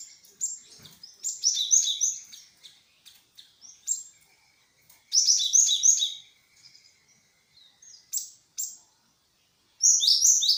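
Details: Great tit, locally glatik wingko, giving a lure call meant to prompt answering birds: loud bursts of rapid, high twittering chirps recur every few seconds, separated by quieter scattered notes.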